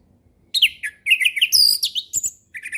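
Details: Relaxed ngeplong-style song of an orange-headed thrush, played as a lure for young birds to learn from: a dense, high, rapid series of slurred whistles and twittering notes over faint low background noise.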